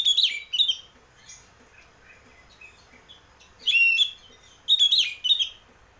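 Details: Oriental magpie-robin, or kacer, singing in the ngeplong style, played as a lure to prompt singing: strong warbled phrases open and close the passage, with quiet high whistles and faint chips in the gaps.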